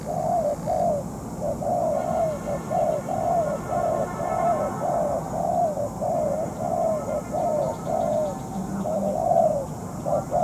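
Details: Moulting spotted dove decoy at a trapping site, answering a stubborn wild dove; a long run of mellow, slightly falling coos in close succession, with a faint higher tone in the background.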